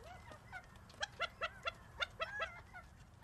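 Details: Gambel's quail calling: a rhythmic series of short, clipped, nasal notes, about four or five a second, with quiet background noise.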